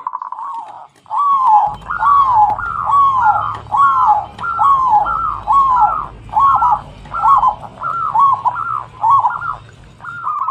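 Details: Local zebra dove used as a lure to stimulate other birds, singing a repeated series of soft, rolling cooing phrases about one per second, each rising then falling, with a faint low hum underneath.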